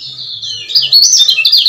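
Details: Short lure of a male lemon-bellied white-eye, Lombok, meant to make other males excited: a thin high note swells into a loud quick run of sharp, jagged chirps.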